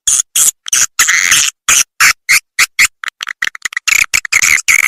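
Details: Edible-nest swiftlet calling sound made for swiftlet farming, used to lure the birds into bird houses; bursts of harsh, buzzy twittering chatter broken by short silences, some notes clipped and rapid, no other sounds.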